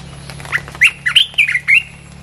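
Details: Red-whiskered bulbul used to draw in wild birds, singing a short string of loud, slightly squawky whistled notes that rise and fall, over a low steady hum.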